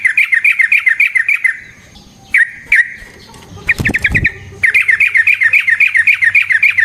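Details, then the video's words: Sooty-headed bulbul delivering long rolls in its fighting song, used as a lure for other birds. Fast rhythmic chirping bursts bracket a few isolated notes, a short harsh rattle and a wing-flutter thump. "Burung TRUCUKAN GACOR Ropel Panjang Cocok untuk PANCINGAN Trucuk bahan dan MASTERAN Burung Trucukan"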